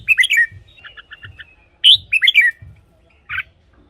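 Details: Red-whiskered bulbul in a cage, song meant for decoying or exciting birds. Two rich warbling phrases of slurred whistles, separated by a light run of short repeated notes, with low bumping sounds underneath.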